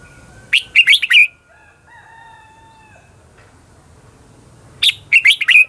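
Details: Red-whiskered bulbul singing its combative 'ché chéc' lure song meant to draw wild birds: two bursts of four or five crisp, tumbling notes about four seconds apart, with soft thin whistles in the pause.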